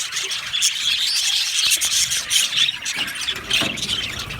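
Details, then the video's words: Budgerigars chattering in an aviary colony, a thick wash of high-pitched chirps and squeaky squawks, with sharp clicks scattered through. "Budgies chirping sounds | Happy Budgies sounds"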